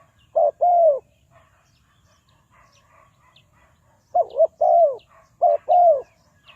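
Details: Spotted dove used as a decoy to lure wild doves into traps, Ninh Thuận. Two-part cooing phrases, a short wavering note and then a longer mellow falling coo, heard once early and twice later after a quiet gap.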